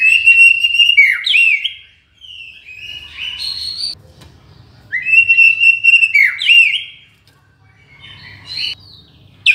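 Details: Murai batu, the white-rumped shama, singing for masteran and bird luring: rich whistled phrases with swooping, sliding notes, repeated in two bursts about five seconds apart, separated by quieter buzzy trills, with faint low background rumble.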